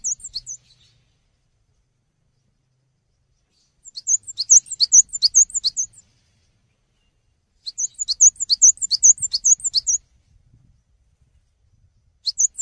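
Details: Cinereous tit, recorded as tutor song for other songbirds, sings repeated bursts of rapid, high see-saw notes, each phrase about two seconds long, with quiet gaps of several seconds between phrases.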